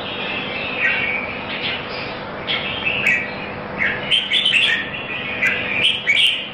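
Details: Red-whiskered bulbul singing at a competition in Singapore: short whistled, warbling phrases, some sharp rising notes, delivered in bursts over steady background hiss.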